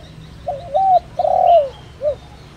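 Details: Spotted dove used to lure birds, in the giọng đồng rặc vocal style; a single phrase of a wavering opening coo, a sustained falling coo, then one short closing coo, with a faint bird chirp above.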